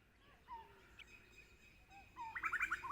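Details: A tailorbird gives a quick burst of loud, bright, repeated notes near the end, after softer whistles from other wild birds, with a crow also calling nearby.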